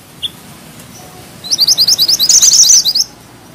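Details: Mantenan gunung bushchat song in a tight rolling style: a single faint chip, then a fast run of about twenty sharp, high twittering notes that swells and speeds into a jumbled finish.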